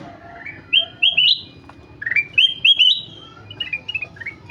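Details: Golden-fronted leafbird in lively song: loud, clear upward-sweeping whistles grouped in twos and threes, then softer, quicker chirped notes trailing off.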